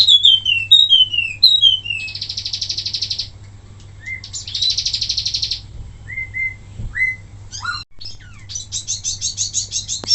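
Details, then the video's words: Wambi singing as a master recording for other birds: descending whistles, then long buzzy trills, short rising whistles, and a closing rattling trill of rapid repeated notes, over a low background hum. "suara asli wambi mini tembakan mantap buat masteran"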